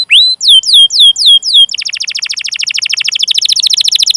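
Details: Canary song meant to lure and train canaries: several loud downslurred whistled notes, then a long fast trill of rapid chirps that grows buzzier and higher.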